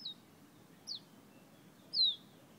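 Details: Fire-red bird from Guyana whistling: three short, thin, high notes, each sliding downward, spaced about a second apart over a quiet background.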